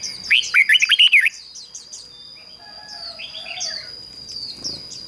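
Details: Red-whiskered bulbul decoy singing to draw in wild birds. One quick, rollicking phrase of about eight warbled notes opens the recording. Softer high chirps from other birds and a constant thin tone follow.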